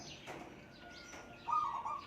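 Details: A young, not-yet-tame captive zebra dove, excited after hearing wild doves call, gives a brief burst of soft, mid-pitched cooing notes near the end, after a faint thin tone, over quiet background hiss.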